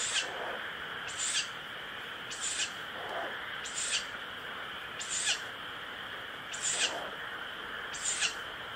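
An owl chick gives short, harsh, breathy hisses, about one every 1.3 seconds, over a steady high background hum.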